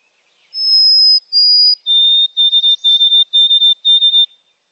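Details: White-throated Sparrow song played back to illustrate the mnemonic 'oh sweet Canada Canada': two long pure whistled notes, the second slightly lower, then five shorter level whistles repeated evenly on a lower pitch, clean with no background.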